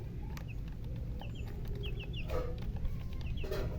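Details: Sparse chicken chirping: scattered pairs of short, high, falling peeps separated by gaps, over a low steady hum with a few clicks and knocks.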